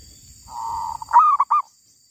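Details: Short burst from a wild female zebra dove: a level purring trill rising into a loud, choppy cooing phrase, over light low background noise.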